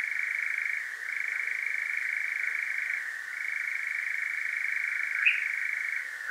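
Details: Sustained churring by a European nightjar at night, Devon, UK, field-recorded with a Zoom H5 and parabolic mic: rapid even trill with gentle dips and a short upward pitch shift near the end.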